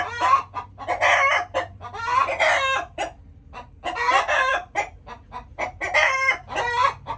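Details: Chickens calling in long, restless bursts of rapid clucks and harsh, drawn squawks, with a brief lull near the middle and a continuous low hum.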